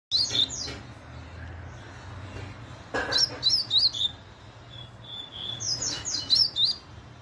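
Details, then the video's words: Chestnut-bellied seed finch singing very fast: bursts of high, sharp whistled notes that sweep and warble, in quick clusters around one, three and six seconds, with short gaps between, over a low steady hum. "COLEIRO LARANJEIRA MUITO RÁPIDO"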